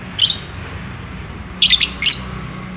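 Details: Lovebird in mating mood, courting, with a single shrill chirp followed by a quick run of three harsh, high chirps; steady low hum behind.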